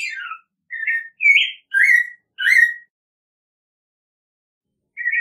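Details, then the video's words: Five short warbling whistled phrases from an American robin, spaced about half a second apart, followed by two seconds of silence before one more phrase begins; quiet background. "American Robin Song! Call! Sound! Singing! - Mirlo Primavera Canto- Turdus Migratorius"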